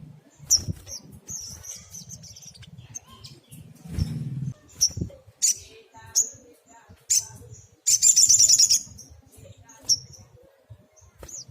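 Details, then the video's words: Brown-throated sunbird (sogok ontong) in vigorous 'tembakan' rapid-fire song: short high thin whistled notes at scattered intervals, then a dense buzzy high trill near the end, with soft low knocks and faint murmur beneath. "Tembakan SOGOK ONTONG GACOR"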